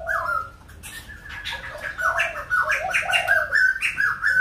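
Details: Song of the white-crested laughingthrush from Kbang, with a soft low whistle followed by a bright jumble of looping, chattering notes that grow louder and keep overlapping to the end.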